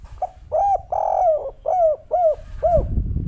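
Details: Spotted dove, a local bird, giving one cooing phrase: a brief soft note, a long mellow coo, then three shorter arched coos falling in pitch, with low rumbling noise beneath.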